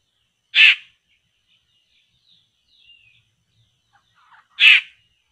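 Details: Laughingthrush at a spot where traps are set to catch it: a loud, short, grating squawk, repeated once about four seconds later, with soft twittering notes from small birds in the quiet gap.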